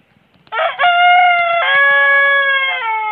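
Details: Loud crow from a huge rooster that kept crowing: a rough broken opening rises into one long sustained note held for over two seconds, stepping down slightly in pitch near the end.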